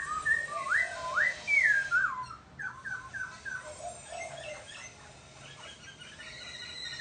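A laughingthrush sings loud, rich whistled phrases that swoop up and down, then a run of quicker, softer repeated notes fading into faint high chirps.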